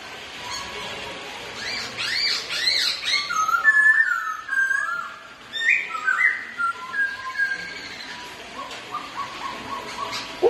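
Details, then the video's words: A pair of Black-throated laughingthrushes kept as pets, singing against each other and dancing: high scratchy chatter, then clear whistles rising and falling, fading into softer scattered notes. "2 Khướu Thi Nhau Hót Và Múa Quá Đẹp"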